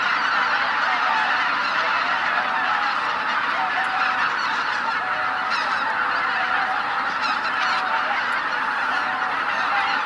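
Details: Winter waterfowl by the tens of thousands at Izu-Numa, Miyagi Prefecture, Japan, on Christmas morning, producing a constant chorus of honks, with a few clearer drawn-out nasal notes rising above the din.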